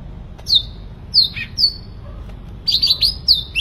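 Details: Sooty-headed bulbul in energetic song; bright whistled notes sliding down, given in short phrases separated by brief pauses, with one fast run of notes near the end.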